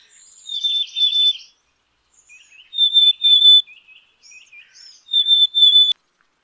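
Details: Black-capped chickadee: a burst of buzzy notes leading into a whistle, then after a gap a pair of clear steady whistles, soft scattered chips, and two more whistles. The surroundings are quiet.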